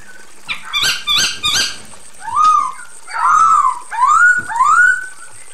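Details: Female Chinese hwamei calling a male: three quick, sharp, harsh notes. They are followed by four drawn-out, upslurred whistles, each about half a second long.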